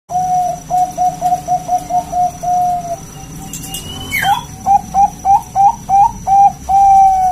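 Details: Wild local zebra dove with a loud, big-voiced song used to lure other doves into singing: a long run of short, evenly pitched coos, a brief pause with a rising squeak, then more rapid coos ending in a drawn-out note.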